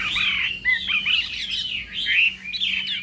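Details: Chinese hwamei singing in a contest-style morning voice-training session: a rich, rapid stream of slurred whistles and warbled phrases, rising and falling without pause, over a faint steady low hum.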